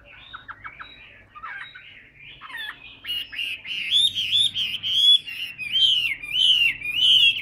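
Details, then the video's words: Caged tam hoàng Hwamei, a big bird that sings a great deal, moves from a few quick stuttering notes into a loud, sustained, rollercoaster warble of rich whistles that grows stronger toward the end. "tam hoàng bộ to đẹp hót rất nhiều"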